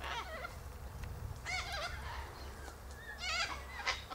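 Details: A group of sulphur-crested cockatoos feeding on seeds from pods up in a silky oak tree. Several wavering, ringing squawks overlap, with clusters around the middle and near the end, against a low background rumble.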